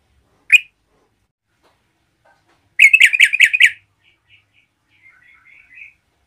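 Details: Yellow-vented bulbul song used to stir up other bulbuls: one bright chirp, then a quick burst of five bubbly, liquid notes, followed by faint soft twitters.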